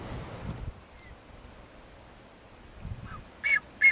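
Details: Blue-footed booby, subspecies excisa, on San Cristobal in the Galápagos, Ecuador, in May 2012. After a quiet stretch with faint low rumbling, two short, loud, harsh honking notes come close together near the end.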